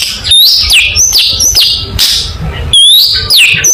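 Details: Long-tailed shrike song used as training material for competition birds: loud, varied whistled phrases with sharply rising and falling sweeps and high slurred notes, packed closely together with low background rumble.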